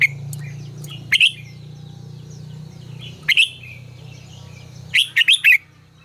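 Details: Red-whiskered bulbul in captivity sings as a training decoy: brief bursts of sharp whistled chirps separated by pauses of about two seconds, the last a rapid run of four notes, with a continuous low hum beneath.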